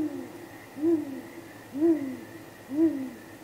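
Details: Deep contact hoots from a great grey owl pair at their nest after dark, 23 April 2019, leading to possible mating: three even, low hoots about one per second, each slightly arched, over a quiet electrical hum.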